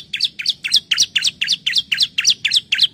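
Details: A female Bar-winged Prinia calling for a male gives a fast series of high, thin chirps, about four a second, each a quick bright two-note flick, with a faint low hum underneath.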